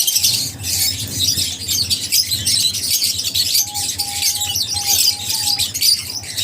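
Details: Lovebirds chattering loudly, high twittering and squeaky chirps overlapping constantly, with a low rumble early on and a faint thin tone midway.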